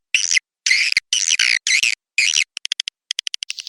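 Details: Swiftlet attraction sound, Tombak Raja style: five separate raspy, buzzy chirps about half a second each, followed by a quick run of short ticking clicks.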